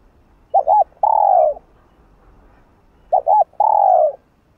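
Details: Spotted dove giving a stirring coo: two short looping notes followed by a sustained, slightly descending coo, repeated twice at a steady interval over a quiet background.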